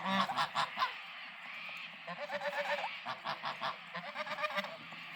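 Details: Farm geese happily honking: rapid series of nasal, buzzy honks from several birds, some overlapping in quick stuttering bursts, continuing steadily throughout.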